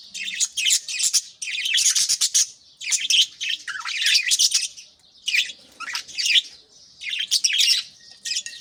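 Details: Pet budgerigars greeting the morning while feeding chicks in nest pots: loud, dense bursts of harsh chirps and squeaky warbles, each lasting about a second, separated by short quieter gaps.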